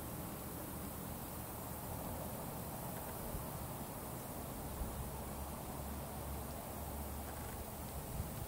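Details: Faint, steady broadband hiss with a low rumble and a few soft rustles, and no animal calls.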